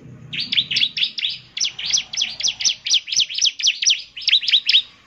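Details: Bar-winged prinia singing actively, a song used to prompt other prinias to answer: a fast, steady string of sharp, high chipping notes that swing down and up, forming one burst of about five seconds.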